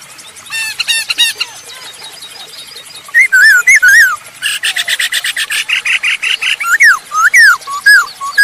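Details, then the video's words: A masked laughingthrush, kept as a lively singer and played to draw out other birds, sings loudly, mixing rapid chattering bursts with slurred, down-curving whistles repeated about twice a second. "Burung poksay hongkong gacor"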